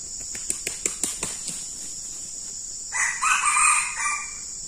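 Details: Red junglefowl crowing as a decoy bird meets a very fierce wild bird: a fast run of sharp clicks, then one short, hoarse, broken crow of about one and a half seconds, against a constant shrill insect drone.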